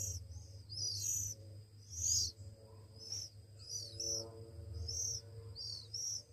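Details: Week-old Oriental magpie-robin young being hand-fed beg with piercing high squeals, some sliding downward, repeated roughly once a second over a low hum.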